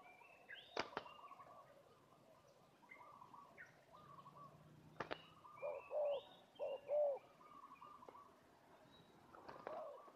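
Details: Spotted dove kept as a fighting decoy bird at Sungai Lada. Two low, hollow coo notes sound after the midpoint, about a second apart. Sharp clicks or knocks, faint chirps from other birds and steady background noise are also heard.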